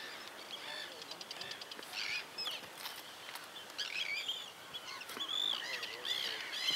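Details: Arctic terns defending their nesting area on the Farne Islands, North East England, attacking intruders' heads; harsh, grating, high-pitched calls from several birds overlap continuously, rising and falling, with rustling and handling noise close by.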